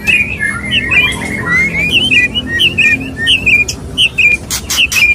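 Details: White-rumped shama male courting a female: a string of short, clear whistled notes, each quickly rising and falling, repeated at an uneven pace, with a few sharp clicks near the end.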